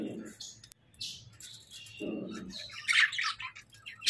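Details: Japanese Hagoromo budgerigars chatter in quick, high, scratchy chirps and warbles, with brief low murmurs between.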